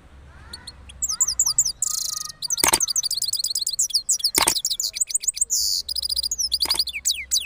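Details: Cross goldfinch singing after moulting, recorded in Parachinar: long rolling song of high twitters, buzzy trills and sweeping whistled notes, interrupted by three sharp clicking knocks.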